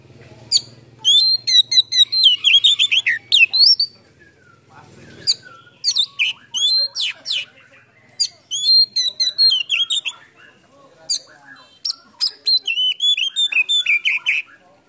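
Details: Oriental magpie-robin in full varied song, played to stir mute or lazy birds into singing with tail spread; bursts of quick high whistles, trills and descending slurs separated by short pauses, faint low hum at the start.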